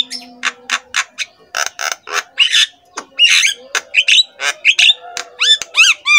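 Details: Javan myna master song used as a singing stimulus for other mynas: steady harsh chip-squawks at about 86 per minute, rasping mid-section, ending in a series of arched whistles.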